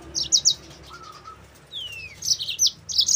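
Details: A yellow-fronted canary sings sparse lure phrases for training other canaries: a few separated high buzzy chirps, a lower flat whistle and a falling slur, then clustered bright notes at the end.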